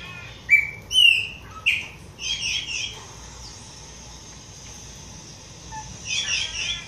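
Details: Pale-breasted thrush song: clear whistled and warbled notes, short rising and falling phrases in a quick run over the first three seconds, a pause, then a final burst of bright, slurred notes.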